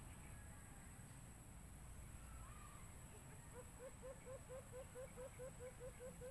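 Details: White-eared brown dove call played on a Bluetooth speaker while bird hunting: after quiet background noise, a run of about ten short, low hooting notes repeats quickly and evenly toward the end.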